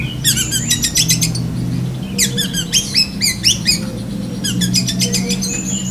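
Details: Kacer dahit, the black-breasted form of Oriental magpie-robin, delivers lovebird-style mimicry: three dense clusters of shrill rapid chattering notes with rising squeaky slurs, separated by brief pauses, over a faint background drone.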